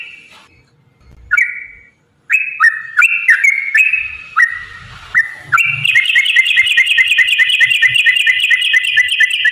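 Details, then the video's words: Yellow-vented bulbul giving a long 'ropel' song, used as a lure to provoke other bulbuls into singing: separate whistled couplets, then a fast unbroken rattle of bright, clipped repeated notes for the last few seconds. "trucukan gacor TARUNG ROPEL PANJANG pancingan trucukan agar bunyi"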